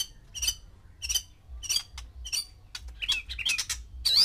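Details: A male white-rumped shama kept with six females to trigger breeding arousal gives harsh, buzzy, high-pitched notes in quick bursts about every half second, ending in a louder squeaky phrase.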